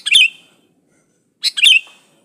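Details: Sooty-headed bulbul in lively song, original with no mixed-in songs of other birds, used as a lure to set other bulbuls singing: two short, bright, bubbling chirpy phrases about a second and a half apart, with clean silence between.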